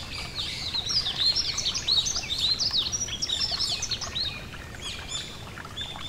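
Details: Yellow-throated bunting singing beside a gentle stream: dense run of high, thin twittering and chirping notes with quick rising and falling slurs, steady for about four seconds then easing off, over a soft murmur of flowing water.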